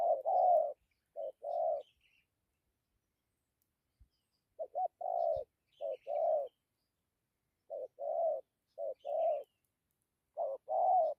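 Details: Spotted dove with a good 'dặm' coo: groups of deep, throaty double coos separated by short silences, each pair a clipped note then a longer one. Faint high twitters of another bird are heard in the background.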